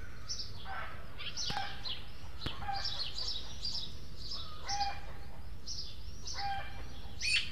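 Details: At a Madrid feeder in the El Retiro orchard, juvenile Eurasian magpies beg, two asking food of a third, more grown bird; webcam recording. Harsh rasping calls in rapid uneven series with some thin tonal notes, over constant low hum.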